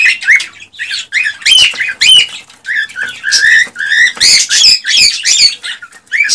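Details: Male cockatiel in excited song meant to stimulate a female to mate and breed: loud, dense run of whistled chirps and harsh squawky notes, many short notes with rising whistles, nearly continuous for several seconds.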